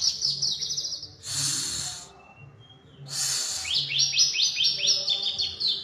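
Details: White-rumped shama (kacer) in energetic full song, high buzzy trilled phrases and rapid repeated descending notes, broken by two loud noisy bursts, with a faint low hum beneath.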